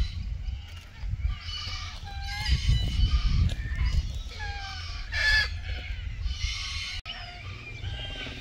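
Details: Red-tailed black cockatoos mating in Keep River National Park, Australia, June 2023: harsh, grating calls, several overlapping and repeated every second or so, over a steady low rumble of wind.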